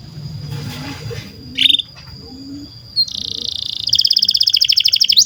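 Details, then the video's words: Canary song for training young or silent canaries: after low noisy background and a brief chirp, a buzzy trill begins and builds into a fast, loud rattling trill. "SUARA BURUNG Kenari GACOR PANJANG INI Cocok untuk Masteran KENARI PAUD dan Kenari Macet BUNYI"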